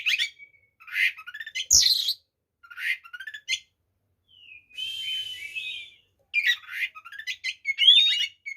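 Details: White-rumped shama song aimed at provoking rival shamas: quick trilled phrases, a sustained buzzy whistle, and sharp rising sweeps in dense bursts.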